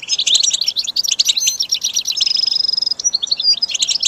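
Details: Goldfinch singing for song training: fast, jangling twitter of high chirps, broken midway by a drawn-out, thin whistled note before the rapid chattering resumes.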